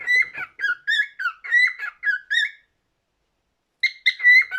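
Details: Pet cockatiel warbling a string of short whistled notes, bright and slightly buzzy, broken by a silent gap before a final burst of rising whistles in a small room.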